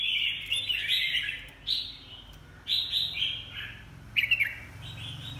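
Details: Red-whiskered bulbul singing short bright warbled phrases, each a quick run of slurred notes, in bursts separated by brief pauses, with a faint low hum behind.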